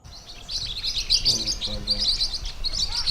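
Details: Caged Pacific parrotlets, possibly a pair, give busy, high, thin chirps and twitters in quick succession, while a man speaks Portuguese in the background.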